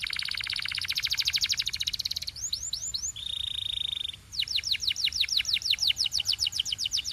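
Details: Canary singing a rapid dense rattling trill, a few slurred whistles, a steady buzzy tone, then long series of fast descending whistled sweeps.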